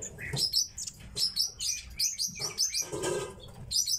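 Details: Kept tits giving quick, very high chirps in uneven bursts, roughly seventy per minute, with soft wing flapping between notes.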